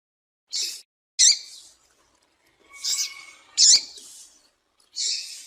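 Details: A female double-collared seedeater gives five short, high, hissy chips at uneven intervals about a second apart, a call said to make a male start singing, with a faint steady tone in the background.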